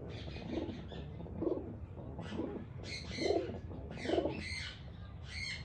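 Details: A flock of pigeons eating grains and rice: low, rounded cooing notes repeat roughly every second, five in a row, while brighter chirps and twitters from other birds sound above them over a low constant hum.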